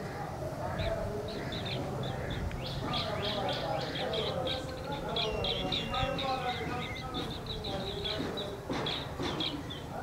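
Asian green bee-eater giving quick, high, trilled chirps in rapid runs, repeated through the clip, over murmuring voices and background noise.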